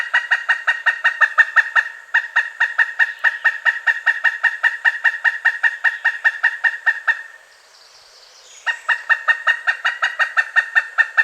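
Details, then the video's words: Pileated woodpecker giving a long series of loud, sharp kuk-kuk-kuk calls, evenly repeated several notes per second, each note ringing with harmonics; a pause of about a second and a half, then the series resumes. "Pileated Woodpecker Sounds: Call, Drumming, Mating Voice & More Explained!"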